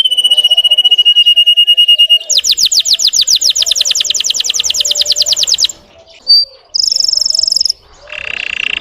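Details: Song of a Russian canary meant to stir up other canaries: a long level whistle, then a rapid trill of falling sweeps lasting several seconds, brief high notes and a buzzy roll.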